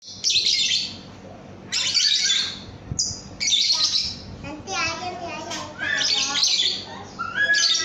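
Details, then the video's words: Lovebird song used as a training recording for other cage birds: bursts of harsh, buzzy chatter and squeaks, with lower wavering warbled notes in the middle and short gaps between phrases. "Masteran Kicau Burung Lovebird Paud AMPUH"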